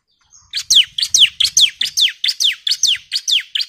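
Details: A female bar-winged prinia calls to a male with a steady series of about twelve high, downslurred chirps, evenly spaced a little over two per second, in a quiet setting.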